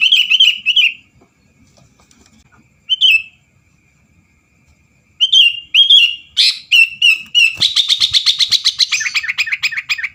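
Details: Sooty-headed bulbul singing to provoke rival birds into singing: bright whistled phrases near the upper-middle range, separated by pauses, then a dense run of rapid buzzy chirps and repeated trilled notes toward the end.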